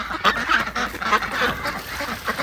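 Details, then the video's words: Farm ducks calling while being fed by their keeper outdoors: rough, nasal quacks overlap in a dense, continuous chatter, over steady background noise. "I'm out here feeding my ducks. Can you hear them?"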